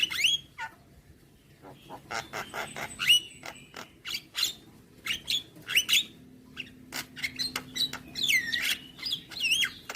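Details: Javan myna singing a full, varied song: harsh broadband clicks and rasps mixed with sharp whistled upslurs and downslurs, delivered in irregular bursts.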